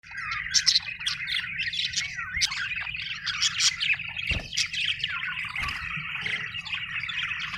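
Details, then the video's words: Budgerigars chirping happily: dense, continuous warbling chatter with rapid squeaky notes and short sharp chirps, steady throughout, with a low rumble underneath and a brief thump near the middle. "happy budgie chirping sound"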